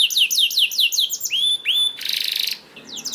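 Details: A canary sings to coax other canaries into song, rattling off fast repeated downward-slurred notes, then a long smooth rising whistle and a harsh buzzy burst before a pause and more sharp chirps.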